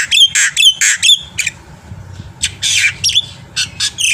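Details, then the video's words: Rapid black-winged myna squawks from a masteran track of varied phrases meant to trigger birds to sing. Loud harsh notes repeat about twice a second, then a pause and a ragged buzzy burst follow. "suara masteran burung jalak putih gacor full isian AMPUH untuk memancing bunyi"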